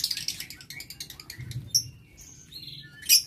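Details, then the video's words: Aviary lovebirds, 6 November 2022: a fast series of shrill, clipped chirps, followed by thin squeaky notes and a closing piercing screech. "Aviary Lovebird"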